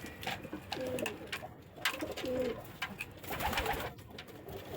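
Pigeons give low, soft rolling coos, with faint background noise indoors.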